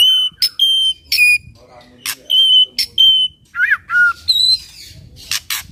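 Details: White-rumped shama singing in full voice, used to prompt other shamas into answering song: loud pure whistles held steady, separated by sharp clicking notes, with a rising-falling slurred phrase midway.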